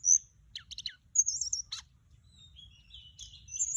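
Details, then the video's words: Decoy song of a Mugimaki Flycatcher: a sharp high note, a burst of quick stacked chirps, then a warbled wavering whistle and scattered thin sweeping notes in quiet surroundings. "เสียงต่อ นกจับแมลงอกส้มท้องขาว"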